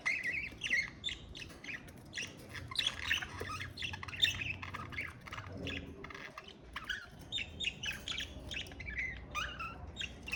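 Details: Pet Australian parakeets (budgerigars) chattering: dense, overlapping warbled chirps and squawky notes, mostly high-pitched, in busy irregular bursts, with a low hum underneath.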